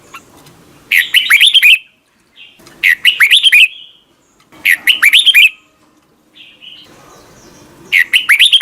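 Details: Red-whiskered bulbul morning song for voice training, double-note wild style. Four loud phrases of quick, liquid, slurred whistles, roughly every two seconds, separated by quieter single notes and faint background hiss.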